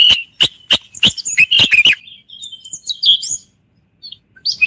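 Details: Common bulbul, called the Moroccan bulbul, giving loud, clipped chirps spaced close together, then softer scattered twittering and a short silence.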